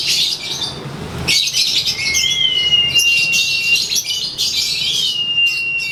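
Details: Konslet lovebird sunbathing and chattering its ngekek. Bursts of harsh high twitter are overlaid by long, clear, steady whistled tones.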